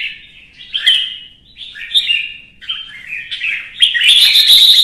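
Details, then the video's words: Rapid, bright warbled notes from a red-whiskered bulbul in competitive singing, given in linked rising and falling phrases that swell into a loud, rich flourish at the end. "CHÀO MÀO | Kè kích chim hót đấu kích ché căng lửa"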